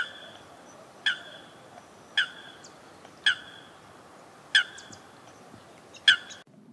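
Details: A mallard on ice-free water of the Vistula River, Poland, on a snowy winter day, gives five nasal, flat quacks about one a second over faint water and river hiss.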